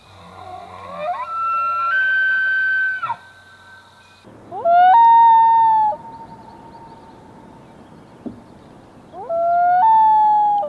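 Common Loon wailing: long, mournful held notes that leap up and then sag slightly. A higher, whistled bugle-like note opens the clip over a faint low hum.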